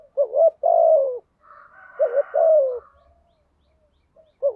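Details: Spotted dove decoy calling to provoke rivals, two low coo phrases with stuttering openings and drawn-out falling endings, with a fainter, higher, buzzy sound heard between them.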